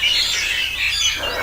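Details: Several birds sing together on an organic farm with trees, in a dense, high chorus of chirps and twittering notes, steady throughout with no gaps.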